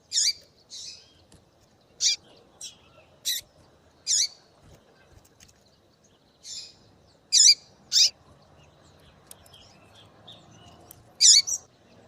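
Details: Female Double-collared Seedeater calling to excite a male into singing: sharp, high, clipped chip notes given singly or in quick pairs at irregular intervals of one to three seconds, over a quiet background.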